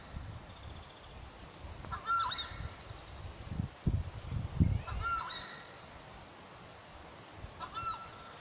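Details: Southern screamer (chajá) in the Chaco of Santa Cruz giving loud, trumpeting honks in short bursts about every three seconds, over low rumbling wind noise.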